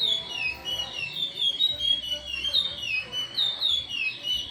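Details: A curió (chestnut-bellied seed finch) in Timbira song style, pouring out loud whistled slurs that dip and climb in repeated phrases over a low background hum.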